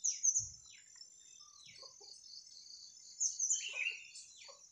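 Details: Bird song on an overcast morning: bright, brief chirps and twittery phrases in two bursts, with a quiet pause between them. A thin, continuous high hiss runs underneath.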